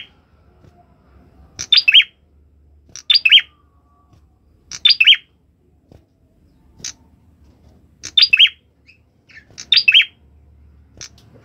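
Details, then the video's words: A prinia repeats short, bright, chirpy high phrases, each under half a second, about every one to two seconds against a quiet background. "Ciblek kepala merah gacor"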